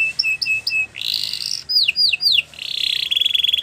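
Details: Canary song meant for training canaries: short repeated whistled notes, a buzzy trill, three falling downslurred notes, then a fast rattling trill, all high-pitched.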